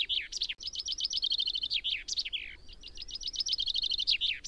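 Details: Repeated song of a common chaffinch, two strophes of rapid trilling notes accelerating toward a sweeping terminal flourish, the second strophe starting almost right after the first.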